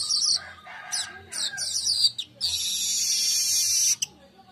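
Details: Weaver singing energetically at midday, kept as a lure and master song: quick chattering notes lead into a long, loud, hissing buzzy wheeze that holds steady for nearly two seconds before cutting off.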